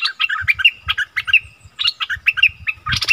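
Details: Wild striated bulbuls arguing fiercely on 8 February 2021 give rapid, bubbly chattering phrases with sharp whistled notes, busy and excited, roughly one to two bursts per second with brief pauses.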